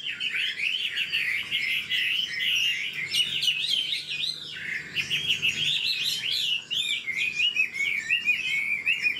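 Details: Wild-caught old Chinese hwamei pouring out quick, varied whistled phrases, each slurred note bending up and down, with occasional harsher chattering notes breaking the flow.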